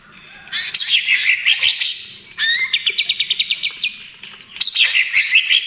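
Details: Greater green leafbird of the speckled 'trotol' type in vigorous song, used as a lure and therapy for other birds: bright high trills and rapid descending notes, then a run of about ten evenly spaced sharp chips, then more tumbling phrases.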